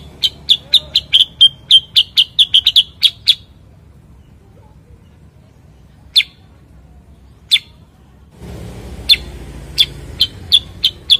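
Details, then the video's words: Cucak kurincang, a bulbul also called kutilingang sutra or kuniran in Ngawi, chirping: a rapid run of sharp high chips, then a pause with two lone chips, then another quick chip series over a faint background hiss. "kicau cucak kurincang"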